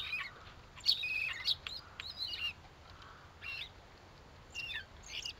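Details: At a winter garden feeder in Théding on 14 December 2022, quarrelling common starlings give short squeaky chirps and rasping notes in loose clusters, with pauses between groups.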